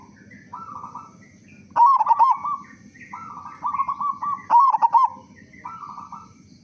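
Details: Zebra dove of local stock with a big voice, played to prompt other doves to sing: loud bubbling coo phrases every few seconds over softer overlapping cooing from other doves and a steady low hum.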